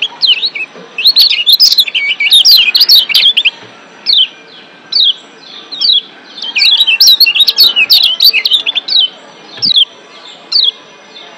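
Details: Excited wild-caught Lombok white-eye (kecial kuning) in breeding condition: dense runs of high chattering chirps and whistles alternate with isolated sharp single notes, then another fast twittering outburst, in a 'ciak' style.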